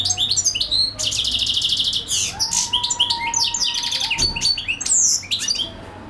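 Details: A European goldfinch sings without stopping: a buzzy rattled phrase opens, followed by fast tinkling twitters and sharp downslurred notes, with a thin steady whistled tone running underneath for a few seconds.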